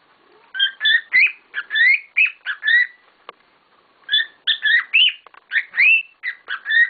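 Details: Kept cockatiels, several birds, call busily: dense runs of bright whistled notes, many sweeping upward, in two long bursts separated by a brief lull.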